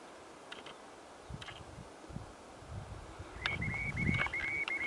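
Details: Rock sandpiper near Southwest Point, Saint Paul Island, Alaska, on a June day, giving a quick run of thin, high, evenly pitched notes near the end, over steady wind rumble and a few faint clicks.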